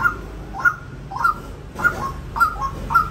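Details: White-breasted waterhen giving a run of short, sharp mid-pitched notes, each with a brief upward inflection, repeated roughly every half second to 0.6 seconds over a low background hum.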